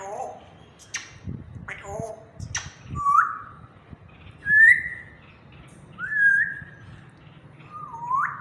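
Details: Pet African grey parrot in a happy mood, vocalizing slowly indoors: a few short speech-like bursts at first, then four drawn-out whistled notes with upward twists, spaced roughly every one and a half seconds, over a low background hum.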